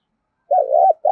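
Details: Spotted dove kept as a decoy to stir up wild doves, uttering a smooth, low, slightly undulating hoot that ends with a dip, quickly followed by the start of another note, with no other sounds.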